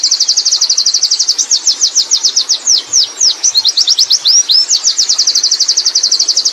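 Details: Nonstop ngerol song of a wild Oriental white-eye: very fast, high trills, loosening into longer slurred notes midway, then tightening again into a quick rattle.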